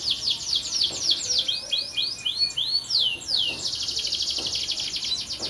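A canary sings nonstop: rapid high trills, a run of clear falling whistled sweeps, then a long buzzy rolling trill.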